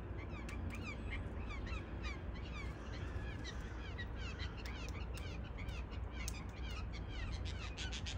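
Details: Early morning in a backyard, a family of six excited Blue Jays awaiting thrown peanuts, with crows also waiting, gives harsh calls among a busy chorus of chirping songbirds over a steady low rumble.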